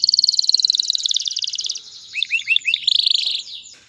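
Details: A male canary's song to prompt a female to mate and build her nest: a fast rolling high trill, a run of looping slurred notes, then another quick trill fading away.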